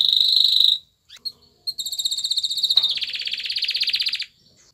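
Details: Male canary singing to a female during courtship, a high whistled roll, short broken notes, then a rapid rattling trill that broadens into a loud buzzy, pulsing roll.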